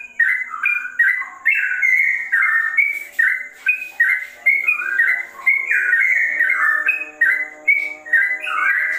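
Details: Sooty-headed bulbul song likened to a straw-headed bulbul: a continuous, energetic series of sweet whistles, rising and falling quickly, with short gaps between phrases.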